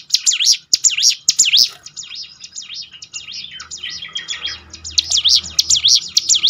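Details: High zigzag whistles of a prinia, used to train birds to sing more often. Bright repeated sweeps open and close the passage, with softer twittering between them and a low hum in the background.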